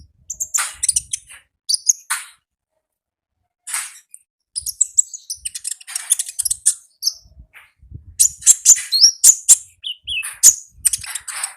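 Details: Konin from the wild singing 'gacor' style: dense, scratchy high chatter in clustered bursts, becoming faster and fuller toward the end, with a few clear whistled notes.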